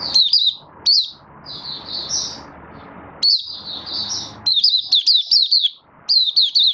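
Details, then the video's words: Malaysian Oriental white-eye, a caged hobby bird not yet in form, giving its 'buka sing' opening song on 1 August 2023: bursts of thin, high, downslurred chirps strung into rapid twittering runs separated by short pauses. "Malaysian Mata Puteh - Buka Sing"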